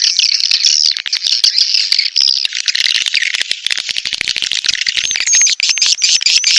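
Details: Edible-nest swiftlets calling in 'birahi' (mating) fashion to attract birds to a nest house: buzzy high twittering, later giving way to thin whistled notes over rapid clicks.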